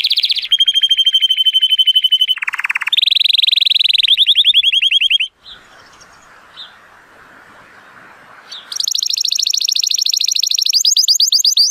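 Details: Male Timbrado Español canary rated 83 points, born in 2018, singing a powerful training song on a sunny day: loud rolling trills with pitch changes, a pause of about three seconds with faint hiss, then a high bright trill resumes.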